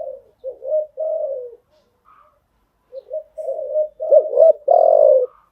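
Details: Spotted dove coo for teaching newly caught birds to call; soft low coos, a short pause, then a louder phrase with a stressed, prolonged final coo.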